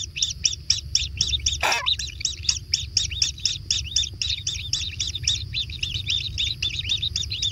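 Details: Rapid-fire begging from kingfisher chicks being fed at a natural nest: shrill, evenly spaced chirps about four per second for several seconds, one harsh noisy burst early on, and constant low hum.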